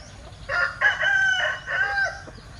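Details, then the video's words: Linh Kê rooster crowing oddly at moderate distance: a hoarse, stuttering series of joined syllables with a drawn-out middle and falling end, small birds chirping faintly in the background. "Tiếng Gáy Độc Lạ. Gà Linh Kê/ Strange Crow Sound"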